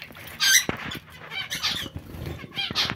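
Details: Zebra finch calls: three bright, nasal, honking notes spaced about a second apart, each loud and brief, over light clicking and a low background hum.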